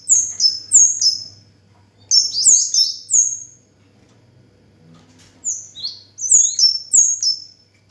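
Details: Orange-headed thrush singing steadily, repeated bursts of high, piercing downslurred whistles, three to five notes per phrase with brief pauses, low hum in the background.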